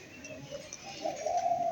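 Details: One of two white pigeons gives a low, soft cooing note that swells and holds steady toward the end.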